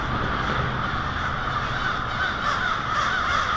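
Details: Huge winter roost of American crows settling noisily at night in a Lansing, Michigan street, February 1, 2016; countless harsh caws blend into one unbroken roar.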